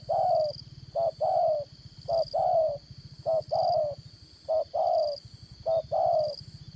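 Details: Spotted dove used as a trapping decoy, its voice of the 'đồng son' style: a short clipped note then a longer, slightly falling coo, paired phrases repeated about once a second, over a steady low rumble and a thin high whine.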